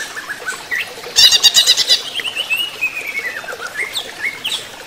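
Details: Greater green leafbird singing during running-water therapy: a short burst of rapid, scratchy high notes, then a run of clear, sliding whistles and thin chips over a steady hiss of background noise.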